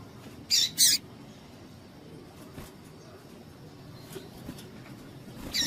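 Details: A female double-collared seedeater calls to excite males, a sound breeders play to warm up tournament singers. Two strong, high chips in quick succession, a long quiet stretch with faint chips, then one more at the end.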